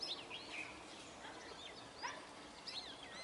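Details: Brahminy starlings in a flock give a tangle of short chirps, twisting squeaks and rising slurred whistles, several birds overlapping in quick succession over a steady background hiss.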